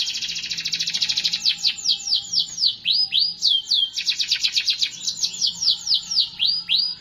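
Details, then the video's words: Canary in continuous song: fast buzzy trill, a run of swooping descending notes, then further quick rolling trills, all high and clear. "٣٠ دقيقة تغريد مستمر ورائع مهما كان نوع الكناري خاصتك سيبدء بالتغريد"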